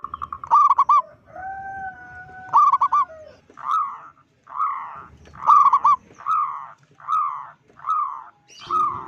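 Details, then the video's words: Loud local zebra dove whose call is said to make other zebra doves panic; rhythmic coos in a regular series, some sharp and trilled, others rounded, with two steady tones early on. "Perkutut lokal gacor suara besar - Panggilan perkutut Ampuh BIKIN PANIK perkutut lain"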